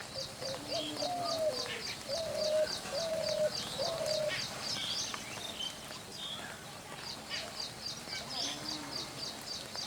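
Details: Spotted dove giving a run of low, mellow coos, five drawn-out level notes with slight upward slurs over about four seconds, then faint coos later; a rapid, steady series of high chirps from another caller runs throughout.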